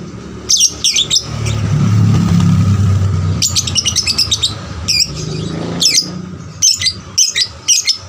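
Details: Captive 'paud' lovebird used as a singing lure for other lovebirds, giving short, sharp, high chirps in small clusters, separated by gaps, over a steady low hum that swells in the middle like a passing vehicle.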